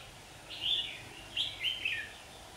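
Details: Red-whiskered bulbul recorded during trapping on 27 September 2019, when birds fought and fell to the ground; two bright warbled phrases, the second a quick run of rising and falling chirpy notes, over faint background hiss.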